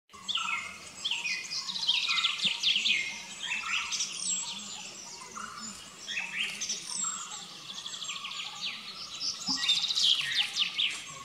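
Flame-throated bulbul giving bright, rapid chirps and short whistled notes, overlapping in a busy stream, with other birds and a low background hum.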